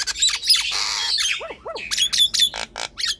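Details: Nias hill myna singing as a lure for idle birds: a harsh rasping squawk, then a pair of lower looping whistles, followed by clipped high notes and clicks.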